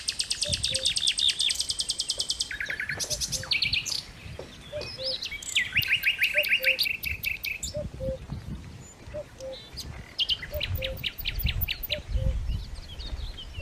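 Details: Steady run of low paired hoots from a cuckoo (pepuk) in Dersim, about nine pairs evenly spaced, mixed with rapid trills, rattles and twitters of several other songbirds.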